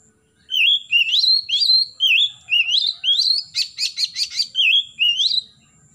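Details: Oriental magpie-robin singing in the morning, played to encourage young birds to sing: a run of short rising whistled slurs, each about half a second long, then a fast series of four buzzy notes and a final upslurred whistle.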